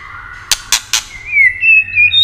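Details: Shama (white-rumped) song meant to excite rival shamas. A steady two-tone whistle is cut by three quick sharp clicks, followed by a bright, wavering high whistle.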